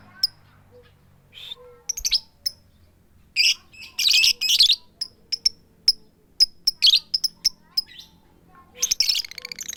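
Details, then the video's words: Female lovebird summoning a male with "tik tik keyok" calls and no chattering. Scattered sharp high ticks mix with bursts of rough, grating squawks over several seconds, ending in a louder harsh burst. "full power suara tik tik keyok Lovebird betina memanggil jantan tanpa ngekek"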